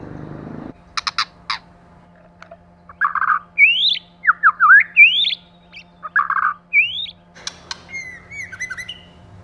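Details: Male and female White-rumped shama, 'kích lửa' session: sharp clicks, then buzzy chatters interleaved with bright rising whistles and zigzag slurs, ending in a thin twittering, over a low hum.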